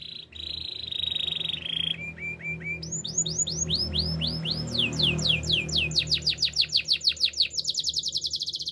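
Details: Canary singing a song used to train canaries: steady flat whistles and low buzzy notes, then looping upswept whistles repeated ever faster into a rolling trill, with a low hum beneath.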